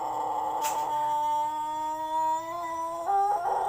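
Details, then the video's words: Sustained crow of a Plered Pelung rooster from Purwakarta Regency, a steady, tuneful held note that lifts in pitch a little near the end, with a brief rough break. "Kompilasi Suara Ayam Pelung Plered (A.P.P) Istimewa"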